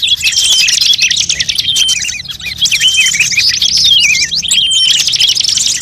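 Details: Lure mix of many bird species calling together; shrill overlapping chirps, quick trills and a descending wavering whistle, with the chorus easing briefly midway before resuming.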